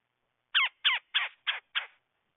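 Red-bellied woodpecker giving five harsh, raspy notes in quick succession, roughly three a second, with nothing else audible.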